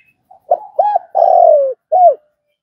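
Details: A single cooing phrase from a spotted dove: a soft lead-in note, a short rounded coo, a long coo that slides downward, then one final short coo. Otherwise quiet.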